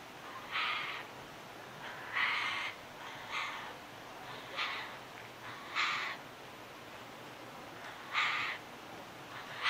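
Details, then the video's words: Tawny frogmouth fledgling giving contact calls at night on 6 December 2020 in Melbourne, Victoria, while a parent feeds it after dark. Harsh, breathy rasping bursts repeat every one to two seconds over a steady hiss of background noise. "Tawny Frogmouth fledgling night contact call"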